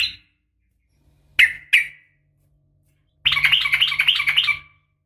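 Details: Female sooty-headed bulbul calling the male with a fighting sound: two sharp chirps, a pause, then a dense, rapid chattering burst of about one and a half seconds over a faint low hum.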